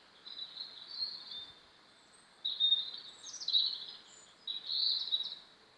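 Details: Sky-blue and emerald-green pet budgerigars chatter while eating, in high, scratchy warbling bursts, three phrases separated by brief pauses.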